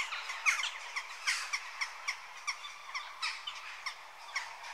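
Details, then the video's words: Western jackdaw giving short, clipped chak calls repeated roughly every second, with fainter answering calls of other birds behind. "Jackdaw Bird Call Bird Song"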